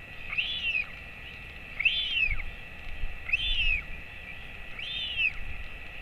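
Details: Royal albatross chick, hatched 23 January 2024, being fed by its father at 11:35 am on 28 August 2024. Four rising-then-falling squealing calls repeat roughly every 1.5 seconds, with low thumps and hiss beneath.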